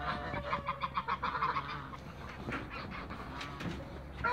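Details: Toulouse geese flying and feeding in a backyard, giving a rapid run of nasal honks for about a second, then quieter, scattered honks over steady background noise.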